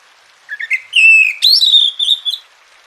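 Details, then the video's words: Oriental magpie-robin (kacer), a caged bird, played as training and therapy to make quiet birds sing; a clear whistled phrase rising from low notes to sustained high slurred whistles, then a short pause. "Masteran dan Terapi Kacer Malas Bunyi Jadi Gacor"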